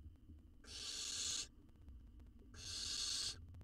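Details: Owl chick, wild, in a nest box watched by researchers in Israel while it devours a jird whole; two long, noisy, hissing shrieks nearly a second each, about two seconds apart, over quiet low rumble.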